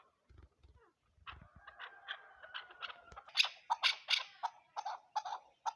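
A chukar gives a series of harsh, clucking chuk notes that grow louder and quicker, about one or two each second, after a few low thumps at the start.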